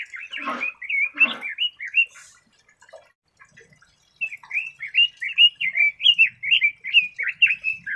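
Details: Red-billed leiothrix (Leiothrix lutea) singing: rapid warbled phrases of short, strong up-and-down whistled notes, a burst of two harsh broadband squawks near the start, then a lively rolling run of clear notes after a short pause.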